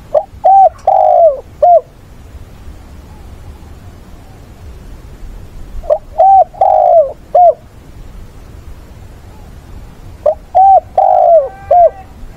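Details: Decoy spotted dove in a fighting and mate-calling song, repeating a phrase of three to four deep hooting coos with one longer drawn note, the phrase recurring about every four and a half seconds, close and loud.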